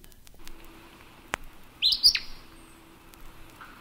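An Acadian Flycatcher gives a single explosive, high two-part 'peet-sah' that bursts out sharply, over a faint low hum and a stray click.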